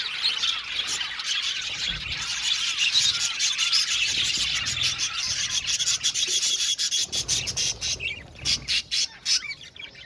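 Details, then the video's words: Budgerigars in an aviary colony, thick high chatter of chirps and warbles for most of the stretch, thinning near the end to separate sharp clicks and ticks. "Beautiful budgies singing sound | budgies chirping sound"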